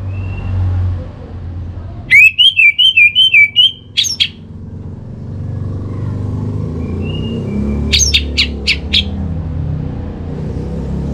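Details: Orange-headed thrush bait song to get birds singing actively: two bursts of rapid, warbling whistled notes with sharp chips, separated by several seconds of steady traffic and engine rumble.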